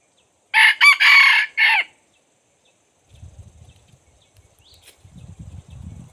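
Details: Red junglefowl crow from a decoy bird used to lure wild junglefowl in: one loud, harsh crow broken into four segments over about one and a half seconds, followed by quiet low rustling.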